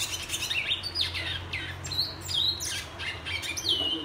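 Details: Black-and-white seedeater, locally called bicudo, twa twa or pico plata de negro, whistling on 21 February 2022: quick bright sliding whistles and twitters, rising and falling, in a continuous flowing phrase, with a low hum behind.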